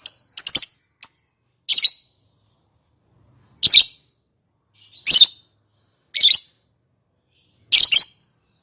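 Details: Calling lovebird meant to draw answers from silent birds: piercing, scratchy chirps, some in tight clusters of two or three, spaced irregularly with quiet gaps of up to two seconds.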